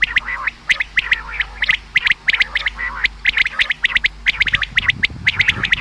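Common quail calling in a dense, rapid run of sharp, liquid chirps, several notes each second, with faint low background rumble.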